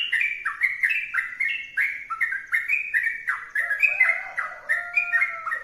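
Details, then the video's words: Energetic 'gacor' song of a sooty-headed bulbul: quick, liquid whistled notes bouncing between pitches in a continuous chatter, with a lower drawn-out tone sliding beneath the phrases near the end. "trucukan gacor berdurasi"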